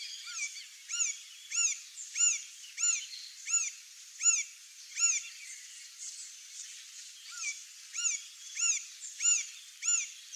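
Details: Male green-barred woodpecker (Colaptes melanochloros), wild in its natural habitat in Brazil, giving a steady series of loud, ringing, arched notes about every half second, with a short gap midway before the series resumes; faint chirps and hiss behind.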